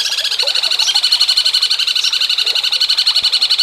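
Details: Cucak cungkok singing in jengking munting style, recorded for songbird contest training: a steady, rapid, rattling trill of high pulsed notes, about four per second, running throughout without a break.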